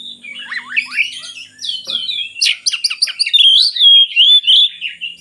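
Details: Oriental magpie-robin singing to prompt reluctant birds: varied chattering and buzzy notes, then a sustained clear whistle with warbled inflections, one brief click partway.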